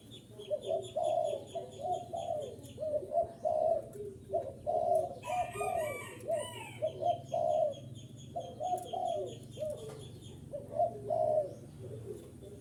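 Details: Spotted dove cooing to lure wild doves: repeated low, husky two- and three-note coos with rolling phrases, one after another, over faint high chirping from small birds and a brief burst of louder calling midway.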